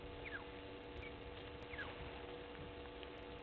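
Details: African green pigeon at Gowrie dam waterhole, Djuma Game Reserve, Sabi Sand Wildtuin, South Africa, recorded by a live camera at 07:40 on 16 June 2021; two faint, slurred whistles glide downward, well separated, over steady hum and background noise.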